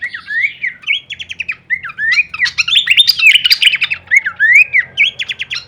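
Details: Horsfield's babbler song used as masteran training audio for songbirds, full of varied kleperan phrases: loud whistled notes slurring up and down between mid and high pitch, mixed with rapid buzzy trills, continuous and busy throughout.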